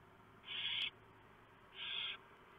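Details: Barn owls at a nest box on a live nest camera at 3:59 AM, 3 November 2015, as the male delivers a huge mouse and the female shreds it for the owlets; two harsh, breathy hissing screeches, about a second apart.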